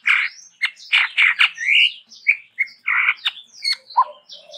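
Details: Chestnut-rumped babbler from Sumatra in full varied song, a dense mix of loud harsh chattering bursts, rising squeaks and short whistled notes with hardly a pause.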